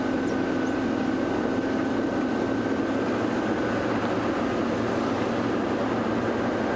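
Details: Steady broadband engine drone with a constant mid-pitched hum and a faint higher tone throughout, with no animal calls.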